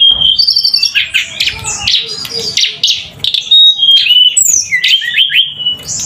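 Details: Javan sunbird singing vigorously, a dense jumble of scratchy high chirps, twangy warbles and rising-falling whistled notes with hardly a pause.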